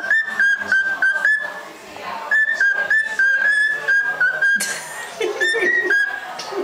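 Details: A male cockatiel tries his best to sing, whistling a wavering, tune-like song of held and sliding notes, with sharp clicks in between.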